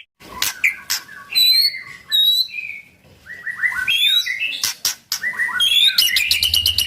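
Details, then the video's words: White-rumped shama singing to stir other shamas to sing: high sweeping whistles and downslurred notes broken by sharp clicks, with short pauses and a dense burst of high repeated notes near the end. "murai batu gacor sangat cocok buat pancingan murai batu agar bunyi ikut NYAUT"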